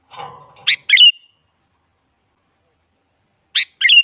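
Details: Female sooty-headed bulbul calling a male, a sound meant to coax a quiet bulbul into answering: a brief low murmur, then a pair of quick chirpy notes ending in a thin whistle, repeated after a long silence.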